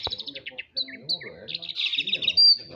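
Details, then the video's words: Madura long-tailed shrike singing vigorously: a rapid run of high, scratchy chattering notes, short down-slurred whistles and a bright buzzy trill ending in a sharp squeal, with faint voices talking underneath. "Cendet Madura Gacor"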